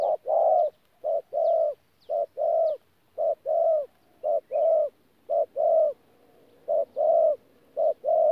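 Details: Caged spotted dove used as a decoy in Tumorong, recorded 14 January 2019, cooing in thổ mixed with gù: steady short-then-long hollow note pairs, evenly spaced, with a brief lull before the final few pairs.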